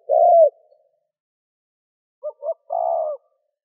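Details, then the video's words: Spotted dove cooing, given in gù, thúc and gáy gọi styles to stimulate a decoy bird: one long mellow descending coo, a pause, then two short soft notes leading into another long coo. No other sounds. "Cu gáy gù - thúc - gáy gọi kích bổi nhanh nổi"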